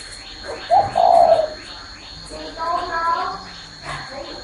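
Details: A spotted dove perched on a hand gives one loud, mellow, drawn-out coo, followed by a person speaking, with faint chirps from other birds behind.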